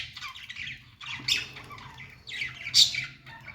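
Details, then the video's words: Pet budgies making happy sounds: scratchy, high chirps and harsh squawky notes in short irregular bursts, with two louder sharp squeaks standing out, over quiet room noise. "Budgies singing"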